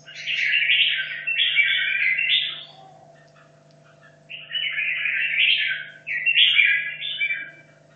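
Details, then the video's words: Hanoi red-whiskered bulbul, caged for 2.5 years, practising for a singing competition, delivers three loud, bubbling, warbled phrases, the first long, the last two after a pause, with a faint steady hum beneath. "Chào mào Hà Nội 2 thả chiến!"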